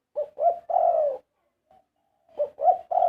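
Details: Spotted dove 'karom' song: two or three rising throaty coos build into a long, slightly falling final coo. A faint soft note sits in the pause before the next phrase starts.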